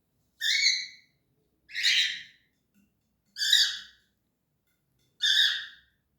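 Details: A cockatiel gives loud, harsh, screeching calls, repeated about every one and a half seconds.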